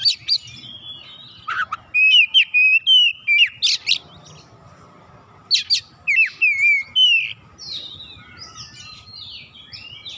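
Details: Oriental magpie-robin singing to encourage a reluctant bird: clear, fluting whistles strung into fast phrases, rising and falling, delivered in two main bouts with a short tail of buzzy notes.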